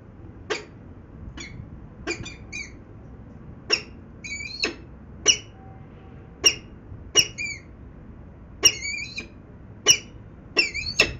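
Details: Venlo peregrine falcons, Netherlands, 19 February 2021, 14:50: a spaced series of abrupt rasping call notes, several doubled into chattering pairs, against a faint low hum.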